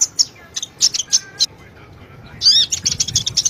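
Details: Sunbird song played to coax a reluctant caged sunbird into singing: sparse, thin, high chips with pauses, then a burst of dense, shrill twittering and rapid high ticks, faint background murmur.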